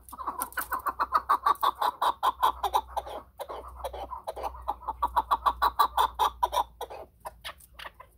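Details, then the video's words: Chukar partridge giving long, rhythmic runs of coarse chuck-chuck notes, about three per second. The series pauses briefly midway, then carries on at the same pace. "chakor ki awaz //چکور کی اواز"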